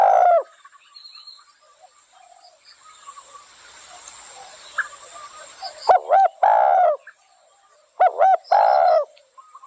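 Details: A clipped spotted dove coo opens, then a long quiet stretch of faint background bird sounds, before two clear phrases of short double notes and longer coos toward the end.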